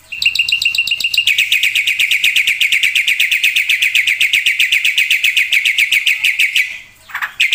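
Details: Black-winged myna singing gacor with full isian: short pulsed phrases leading into an extended rapid, buzzy trill of identical notes, ending with a low slurred call and a sharp chip.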